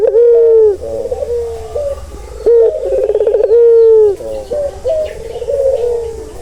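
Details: Barbary dove giving loud sustained coos, used as soothing sound for stressed doves; long level notes that drop at the end, broken by fast bubbling trills, several phrases in quick succession.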